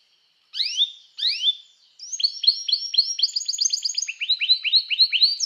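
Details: Canary singing to call other canaries to sing, for training: two upward-sweeping notes, then a brisk run of repeated chirps in quick trills shifting in pitch, about four per second, with no other sounds.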